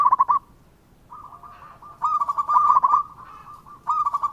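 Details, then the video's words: Local zebra dove (perkutut) singing eagerly, meant to provoke answering birds: a short rolled phrase, a faint run of coos, then a long sustained series of warbling, trilled notes, ending in a further rippling burst. "Perkutut Lokal Gacor dengan Suara ini Sekali Putara Langsung Nyaut"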